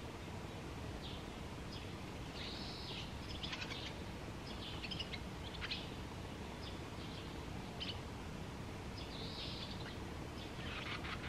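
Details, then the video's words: Barn swallow calling along the Tama River: a few thin, arched chirps rising and falling, spaced several seconds apart, with scattered sharp clicks over a steady low rumble of background noise. "ツバメ_69_多摩川_Barn Swallow"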